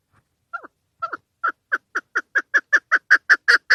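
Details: Female chukar partridge calling, used to lure birds for hunting: a series of short clucking notes that start slow and hesitant, then speed up into a steady, accelerating chuk-chuk run growing louder toward the end.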